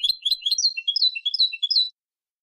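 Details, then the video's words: European goldfinch copia malaga phrase, edited for teaching young birds: an unbroken two-second run of rapid, high, liquid twittering notes that rise and fall, ending abruptly into silence. "تغريد حسون كوبيا مالقا لتلقين الفراخ ©chant copia malaga chardonneret"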